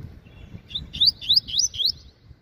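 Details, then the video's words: Caged Double-collared Seedeater, 'meio canto' half-song style: a brief thin note, then five loud ringing rising-and-falling whistles in a quick run lasting about a second. "Coleiro Papa-Capim Revelação Meio Canto Cantando Muito"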